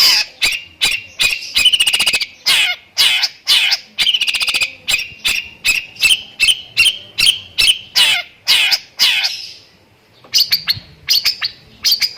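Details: Rapid 'tembakan' song of a long-tailed shrike, filled with lovebird imitations: harsh buzzy chips delivered in quick bursts, some rattling, over a steady high tone, a short pause, then a few sharp chirps.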